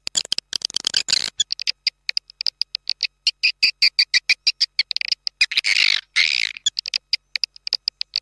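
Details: Lure call for farmed swiftlets, a fast string of dry clicks repeated several times per second with brief buzzy chattering bursts mixed in, clean and without background noise.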